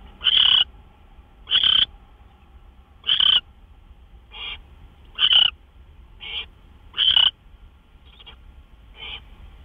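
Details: Owls at their nest late on the night of March 26, 2013, during gopher deliveries. Loud, breathy screech bursts alternate with fainter, shorter hisses, nine in all over about ten seconds.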